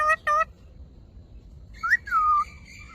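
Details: Parrot sounds: two short buzzy harmonic beeps, a pause, then a clear whistle that rises and slides smoothly downward.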